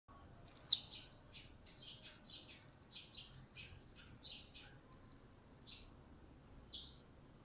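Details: Blue-crowned hanging parrot, a newly acquired bird starting to sing: a loud, very high shrill note opens, followed by a run of short high chirps and ticks, and a final sharp shrill note near the end.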